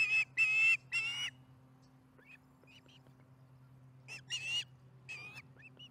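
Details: Osprey chatting over dinner at its nest in Charlo, 15 July 2019, 4:30pm MDT. Three loud, harsh squeals come first, then scattered faint chirps, then two more strong squealing calls, over a faint hum.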